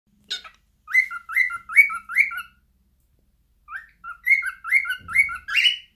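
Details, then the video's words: Pet cockatiel singing: a harsh chirp, then two bursts of four rising whistled notes, each notes ending in a lower, shorter tone, with a pause of about a second between bursts. "Cockatails Singing.."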